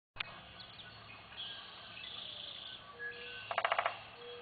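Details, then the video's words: A Common Goldenback (common flameback) woodpecker at Singapore Chinese Garden, 2 June 2017, gives a brief, fast rattle of about six sharp notes over a steady low hum and faint tonal background sounds. "Common Goldenback Woodpecker (Dinopium Javanense)"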